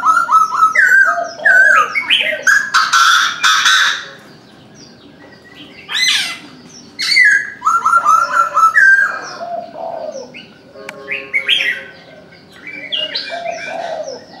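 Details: Morning calls of a Chinese francolin: repeated loud, grating phrases of several descending stepped notes, given in bursts separated by quiet gaps over about fourteen seconds, with other small birds chirping in the background.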